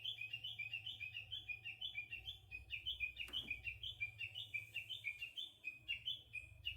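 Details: Japanese bush warbler singing in spring: a quiet, fast run of sharp, high notes that alternate between two pitches, repeated steadily for several seconds, over a low background hum.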